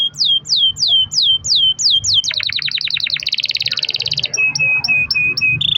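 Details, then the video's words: Long-roll canary song for setting off other canaries: seven loud downslurred whistles at a steady beat, a quickening series of slurs, a rapid trill, then short repeated chips. "kenari gacor ROL PANJANG buat pancingan kenari agar bunyi"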